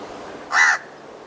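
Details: A lone rasping caw of a House crow, short and loud, over a low, steady background.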